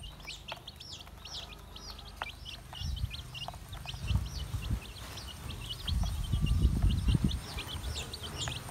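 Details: Feeding chicks keep up rapid, high-pitched peeping, roughly three notes a second of quick descending cheeps from a group, over low rumbling noise that swells midway through.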